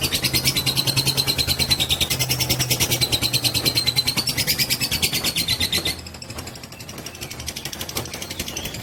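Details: Fighter lovebird in a long-duration ngekek, a trill used to provoke other birds: rapid buzzy chatter of rhythmic high pulses with a thin whistled tone riding above, then continuing more softly near the end.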